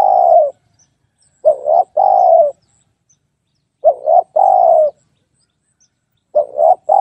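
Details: Spotted dove calling: mellow, low cooing phrases of two quick short notes followed by a longer, slightly falling coo, repeated about every two and a half seconds with clear silence between phrases.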